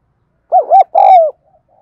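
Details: Lure spotted dove calling: two short, rounded, bouncing hoots run straight into one drawn-out coo that slides gently downward, in a quiet background.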